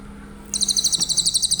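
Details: Brief Grey-headed canary-flycatcher trill, high and sharply pulsed at a steady fast beat, from a recording used to train other songbirds; a faint low hum underneath.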